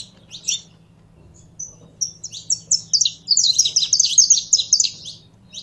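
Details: A captive saffron finch warming up into full song sings high, chirpy notes that build into a fast, dense run of sharp chips, over a faint low hum.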